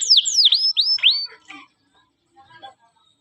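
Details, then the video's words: Canary song from a training recording for young birds: a short burst of four or five swooping down-slurred whistles lasting about a second, followed by near silence with faint clicks. "burung kenari - cuit cuit masrteran kenari paud"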